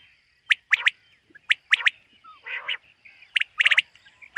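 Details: Common quail in a morning summer meadow gives sharp three-beat calls in clusters, with one hoarse nasal note in between and short pauses.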